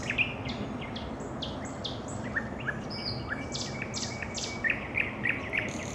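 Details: Nightingale in evening song, delivering varied short phrases of sharp up-slurred notes and brief high whistles over steady background hiss.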